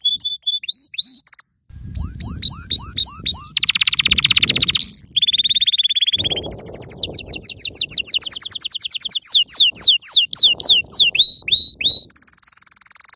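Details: Yellow canary singing to tutor young canaries: upslurred whistled notes, a pause, a mix of rapid buzzy trills, steep sweeping strokes and a closing high flat trill, with low rumbling noise throughout.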